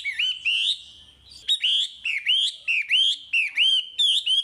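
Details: Chinese hwamei in prolific song used as training bait for untrained caged birds: a brief pause, then a fast series of swooping whistled notes, each slurring upward, delivered in an even, repeated rhythm.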